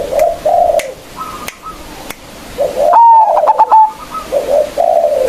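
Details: Local zebra dove lure to make rival birds sing: gentle warbling coos and faint clicks, then a loud high whistle dissolving into rapid choppy notes, followed by more soft cooing.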